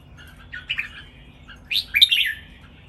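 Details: Red-whiskered bulbul, one of three caged birds, sings training master song: a brief soft warble, then a louder burst of sweet, quick, rising and falling whistled notes near the end.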